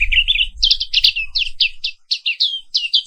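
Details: Zosterops atricapilla, the black-capped white-eye of Indonesia, singing in the morning: rapid high twittering notes, some rising and some falling, run together in a lively rolling phrase, with brief low thuds at the start.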